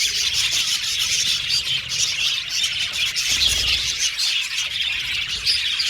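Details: Caged budgerigar colony, the parakeets singing and chirping; thick overlapping warbles and squawks in a steady, slightly surging chorus.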